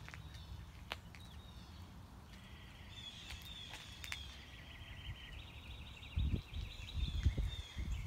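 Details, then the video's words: Mockingbird on a morning walk running through its repertoire: a long buzzy trill of rapidly repeated notes, preceded by sharper chips, with footsteps and rustling near the end and low background rumble. "Mockingbird - Morning Walk"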